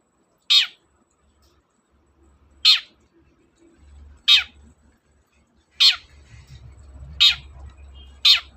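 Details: Long-tailed shrike repeating short harsh rasps every one to two seconds, six in all, each a falling screechy burst, with a low rumbling hum rising in the background toward the end; meant to stimulate quiet shrikes.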